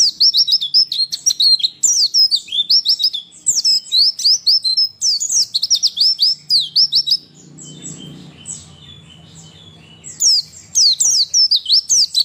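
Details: Female white-eye calling, used to provoke males into singing: rapid, high, tinkling twitters in quick chattering bursts, pausing briefly midway over a low hum before resuming.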